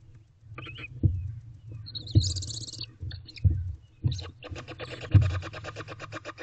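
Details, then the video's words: Sleepy barn owlets in an owl box at 7 pm on 9 May 2023, waiting for food. A long breathy hissing rasp is followed by a steady pulsed snoring hiss, with soft low knocks and shuffles throughout. "Adorable Sleepy Barn Owlets. Waiting For Food."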